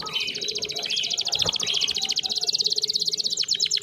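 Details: Canary song played as a tutor recording to lure a silent canary into singing: fast, high, metallic trill of rapidly repeated notes, rising slightly in pitch and shifting into a sharper, faster rattle near the end.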